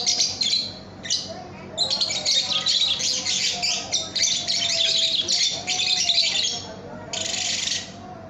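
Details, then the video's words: Young lovebird (paud) singing, presented as a training recording for cage birds: long, dense, scratchy high chatter in bursts of one to two seconds, with short gaps and faint lower tones underneath. "Masteran Kicau Burung Lovebird Paud AMPUH"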